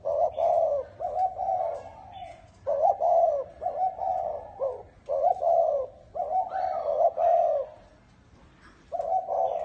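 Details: Cooing of a spotted dove in the bronze-bell (chuông đồng) voice, used to rouse males and females: a long run of low rounded coos, about one every second, then a pause before more coos resume.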